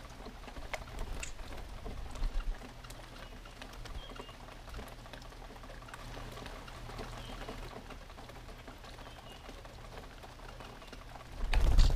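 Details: Soft rain-like patter and low rumble with a steady hum, ending in a louder burst of handling noise; no animal voice stands out.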